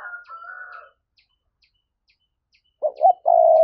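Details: Spotted dove 'thúc' coo, used as a lure for wild doves. It opens with a faint higher tone over low soft notes, then a long silence. Near the end come a sharp double note and a long loud low coo.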